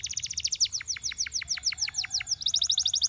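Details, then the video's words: Canary delivering fast, rolling trills of sharp repeated notes, several per tenth of a second, shifting speed and pitch midway before resuming the rapid rattle, bright and continuous. "Canaries seduce friends to sing! very effective"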